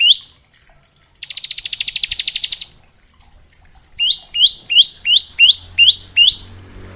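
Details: Bar-winged prinia singing ngebren variations, meant as training song for young prinias: one rising whistle, a rapid buzzy trill of about one and a half seconds, then a steady series of eight upslurred whistles.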